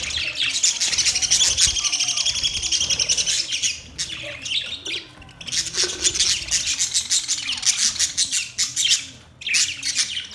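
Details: Budgerigars give a dense, continuous stream of buzzy, rasping high chatter and squawks, pausing briefly twice before resuming.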